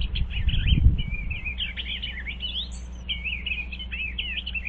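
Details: Eastern bluebirds checking out a birdhouse on 25 February 2023. Continuous soft, gurgling warbles come in rapid uneven phrases, with a low rumble early on and a steady hum beneath.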